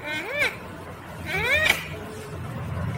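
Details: Rose-ringed parakeet (Psittacula krameri), talking.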